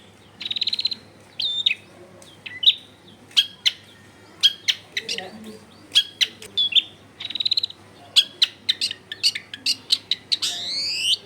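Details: Long-tailed shrike used as a lure to prompt other shrikes to sing, recorded in a densely populated area: whistled notes and sharp clicks, a few mixed-in low sounds, and a rising rattling sweep at the end.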